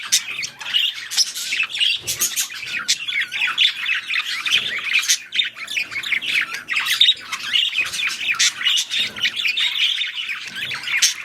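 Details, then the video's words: Parakeets, or budgerigars, during mating and breeding give a steady run of raspy squawks and thin chirps, closely packed and irregular throughout. "Budgies / parakeets | Mating / Breeding"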